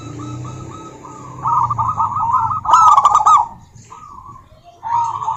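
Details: Rival-calling female local zebra dove: quieter opening coos swell into a dense rolling trill, peaking in a sharp rattling burst near the middle before fading and resuming briefly.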